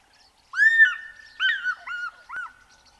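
A fish eagle gives a loud, ringing call: one long clear note, then three shorter falling yelps in quick succession over about two seconds.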